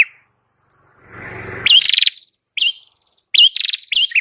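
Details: Prinia, called prenjak kepala merah, singing for use as a lure: a low rushing noise fades out, then buzzy rattling trills with hooked whistled notes follow in three short bursts.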